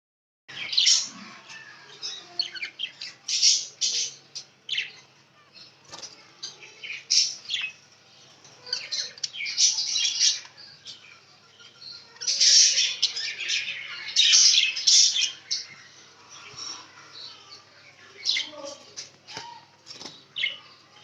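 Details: Hogoromo budgerigars chattering with bursts of high, scratchy chirps and warbles.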